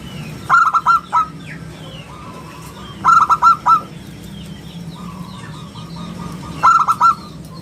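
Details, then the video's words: Actively singing local zebra dove, prized for a round, crystal voice and played to lure and teach other birds: three phrases of rapid, bubbling coos, each four or five notes, about three seconds apart, with thin chirps of other birds between. "perkutut lokal gacor suara istimewa buat pancingan dan masteran"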